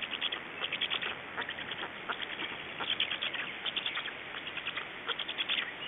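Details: At a black stork nest in Estonia, 29 May 2012 around 19:55, during feeding and nest change, a continuous chatter of fast, scratchy ticking pulses runs through the recording with mild background hiss.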